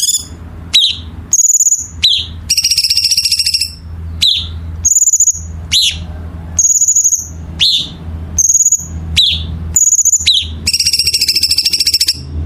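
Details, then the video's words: Masteran recording of a songbird: shrill steady whistles, abrupt falling notes and long buzzy trills follow one another in a busy, repeating pattern, with a constant low hum in the background. "Masteran Burung Gacor"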